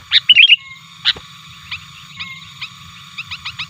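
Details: Sooty-headed bulbul lure recording meant to provoke wild birds and challenge rivals: a quick burst of bubbly, chattering notes, then short scattered chirps over a steady low hum.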